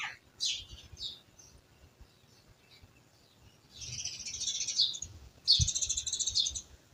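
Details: Village birds chirping, with a few quick high chirps followed by two long, buzzy chattering bursts and a low knock.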